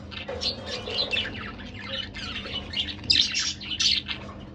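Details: A pair of pet budgerigars chattering indoors: dense, scratchy warbles and squeaky chirps crowd together in quick bursts, with a faint steady hum underneath.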